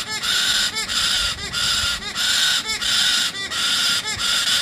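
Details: Baby galah, a young parrot, making a loud, harsh, grating screech over and over, each rasping burst lasting about half a second and separated by brief gaps, steady and insistent throughout.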